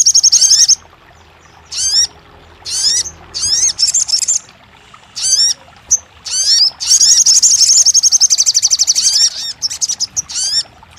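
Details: Crested jay for coaxing a quiet bird into song. Repeated bursts of sharp downswept whistles alternate with high rattling trills, the longest lasting about two and a half seconds.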